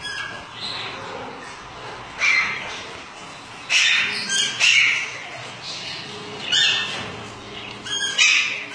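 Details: Lutino Alexandrine parakeet from a breeding pair giving loud, harsh squawks in short bursts, about six over several seconds, with a faint hum of indoor background noise.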